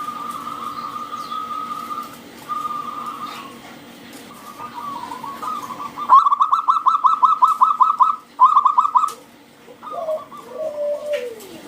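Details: Local zebra dove singing to draw other doves into song: soft high notes build into a fast, loud staccato run, followed by a few lower, drawn-out, falling coos.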